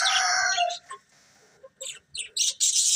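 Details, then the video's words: Colourful budgies chirping, opening with a loud, harsh, harmonic call and followed after a short quiet by scattered sharp, scratchy chirps. "Cute Colourful Budgies Chirping Sounds"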